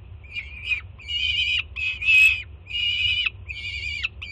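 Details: Peregrine falcon chick begging loudly as its first-time mother delivers breakfast at a Jersey City nest, 24 June 2017; five grating, drawn-out screams with drooping ends, spaced closely, low steady hum underneath.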